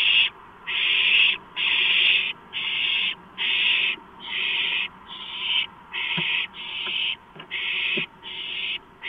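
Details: Hissing begging screeches from owlets at a large rodent delivery, 23 March 2015, come in a steady pulse roughly every 0.8 seconds, with faint clicks between.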